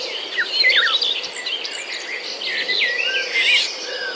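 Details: Young birds in a nest during the mother's absence to seek food, uttering many squealing, twisting high notes and quick chirps from several voices at once, with a steady insect buzz underneath.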